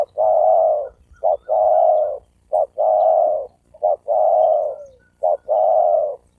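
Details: Male spotted dove cooing to attract a female, giving a repeated pattern of a brief clipped note followed by a long mellow coo, about five times in steady rhythm, with faint low background rumble.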